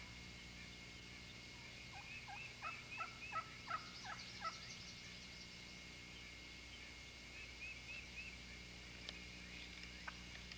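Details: Eastern Wild Turkey hen calling to gobblers from the roost, a 1995 recording: a short run of about six sharp, descending yelps over two seconds, with thin high chirping of other birds before and after.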